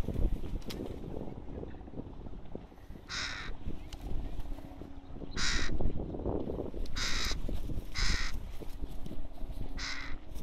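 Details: Juvenile crow calling in the Rosental, Leipzig, Germany: five short, rough caws spread across ten seconds, the last three close together, against a continuous low background drone.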